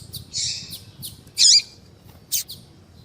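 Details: Female double-collared seedeater calling: a drawn-out buzzy note, then a loud wavering rising-falling call and a short sharp chirp, over faint low background noise.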